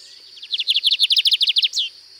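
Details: Distinctive song variant of a lined seedeater recorded at Sítio Paraitinga, Cunha: a rapid string of high, sharp descending notes at an even pace, ending in a single drawn-out downward slur, with little else audible.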